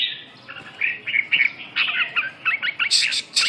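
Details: Red-whiskered bulbul singing a lively run of short, bright chirping and warbled notes, mostly upper-mid pitched, delivered in quick clusters with brief gaps and a few sharper high notes near the end.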